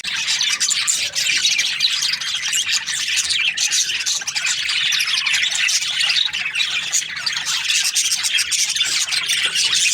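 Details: Budgerigars kept as breeding pairs, a continuous wall of shrill twittering and scratchy squawks from a large group, even in loudness throughout.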